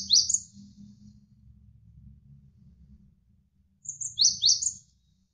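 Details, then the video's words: Javan sparrow (gelatik wingko) tutor song for training songbirds. A brief high chirp opens, then a low murmur of flowing water fills the gap, and a second short phrase of sharply descending chirps follows. "MASTERAN GELATIK WINGKO Gacor Berjeda 1-3 Menit"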